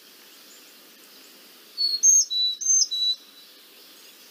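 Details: A Carolina Chickadee, a year-round resident of north and central Florida and a cavity nester, gives one of its signature calls: about five thin, clear whistles alternating high and low in under two seconds, over a faint steady hiss.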